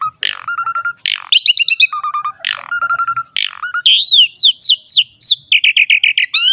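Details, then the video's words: Energetic Asian pied starling song for luring and training young starlings; loud rasping notes break up runs of steady whistled pulses, followed by rising squeaky chirps repeated rapidly. "JALAK SUREN GACOR ‼️ MASTERAN DAN PANCINGAN BURUNG JALAK PALING AMPUH"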